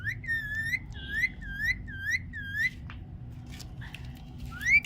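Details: Pet parrot whistling: a run of repeated rising-falling whistled notes, about two per second, then a pause with faint clicks and a final high upslurred whistle, recorded indoors.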